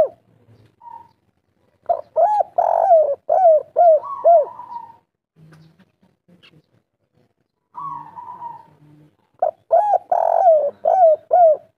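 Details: Local spotted dove (derkuku, tekukur) singing the lively 'kuk 3' style: two bursts of deep, rounded coos, each series of about five notes, separated by a steady, higher humming tone and a quiet pause.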